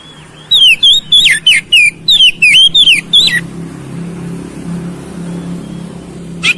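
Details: Oriental magpie-robin (kacer) song aimed at a fast, persistent fighting reaction: around nine loud whistled notes rising and falling in a steady rhythm over three seconds, followed by a low background hum.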